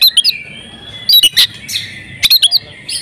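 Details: Breeding female oriental magpie-robin, calling to make males sing: clusters of three or four sharp, squeaky chips every second or so, with a faint drawn-out tone between.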